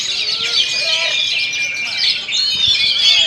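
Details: Oriental magpie-robin (kacer) singing through strong wind in a fast, rolling ngerol nembak style: a dense rush of high, twittering notes with a few lower whistled slurs underneath.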